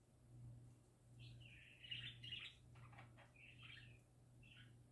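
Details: Happy singing parakeets: a bright chattering warble builds to a loud run of chirps, breaks into rapid ticking clicks, then resumes in short warbled phrases over faint hum.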